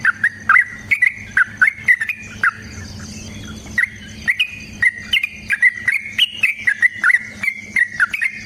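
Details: Yellow-vented bulbul in long fighting song meant to trigger other bulbuls to sing; quick, bubbly whistled notes in dense series, wavering up and down, with a short break of low rumble in the middle.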